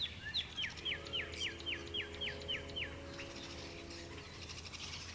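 Common Redstart singing: a high opening note, then about ten quick, down-slurred whistled notes at nearly four per second. A steady low hum and faint distant chirps follow.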